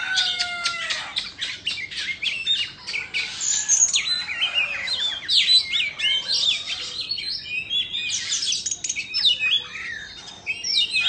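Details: Indonesian Oriental magpie-robin singing while dancing and fanning its tail: a dense, varied run of high chirps, trills and whistled notes, with a few drawn-out descending whistles near the start.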